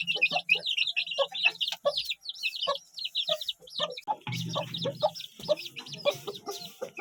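A crowd of Aseel chicks peeping nonstop in shrill, rapid cheeps, with a few lower clucks and a brief low hum underneath.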